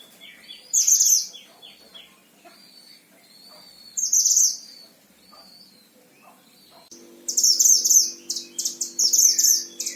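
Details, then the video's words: Oriental white-eye tutor bird from Sragen, Central Java, Indonesia: brief, very high twittering phrases with pauses, then a sustained run of rapid chattering notes over a low steady hum. "Masteran Gacor Mantenan Himalaya"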